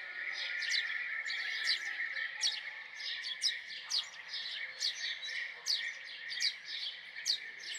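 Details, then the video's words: House sparrow giving a steady run of short, sharp chirps, about one or two each second, over a constant high hiss. "Common Sparrow Song ! Common Sparrow Sound ! Common Sparrow Call ! Sparrow Sound ! Sparrow Call"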